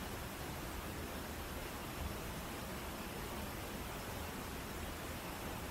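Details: Unchanging broadband rushing noise, close to a waterfall or white noise, runs throughout without any animal call.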